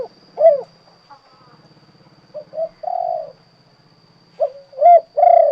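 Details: Spotted dove, called derkuku or tekukur, of the 'kuk 2' type, delivering low mellow coos in irregular bursts, a longer drawn note then a cluster of short coos, with a faint low rattling noise and a steady high hum behind.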